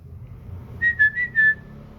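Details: Common iora kept as a home cage bird, singing: four quick, clear whistled notes on nearly the same pitch, slightly wavering, in a quiet room.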